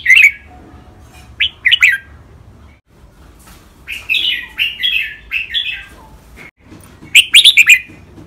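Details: Caged red-whiskered bulbuls from Thailand in a two-bird singing match, with training song styles called rik, double, lak wai, mae bot and note counting. Bright chattering phrases open the song, then a run of five wavering whistles and a closing rapid burst.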